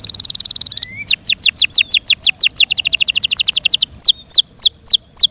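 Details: Captive Yorkshire canary song opening with a loud rapid rattle, then falling whistled sweeps, a quick bright trill, and slower, well-spaced descending whistles at the end.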